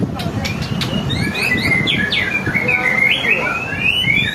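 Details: White-rumped shama singing as a lure for other birds: a few sharp clicks, then a run of rising and falling whistled notes that flow into a sustained, warbling phrase over a faint low rumble.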